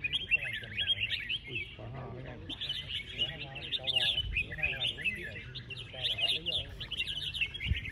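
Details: Red-whiskered Bulbuls singing in cages at a songbird contest held early in the year, 36 cages entered; dense overlapping whistled and chirpy phrases run nearly continuously, with background chatter of a crowd.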